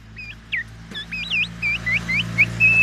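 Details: Black-naped oriole song packed with imitations of the oriental magpie-robin, delivered to challenge other orioles: a run of fluty, rising-and-falling whistled slurs in quick succession over a steady low hum.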